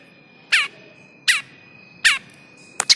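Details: Bar-winged prinia squeezed distress call played as a trapping lure: three harsh, downward-sweeping scolding notes roughly 0.75 seconds apart, then quick clicks, over a faint continuous tone.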